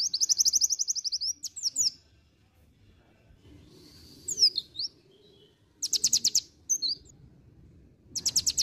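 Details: Pleci dakun white-eye singing ngriwik: an opening rapid high trill, a few sharp downslurred chips, then two more short, buzzy high trills separated by quiet gaps with soft low rumble.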